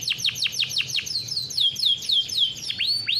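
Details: Farm-bred caged canary singing a rolling song meant to train young canaries: a series of fast downward-sweeping high notes about five per second, then drawn-out slurred whistles and upward sweeps, over a faint low hum.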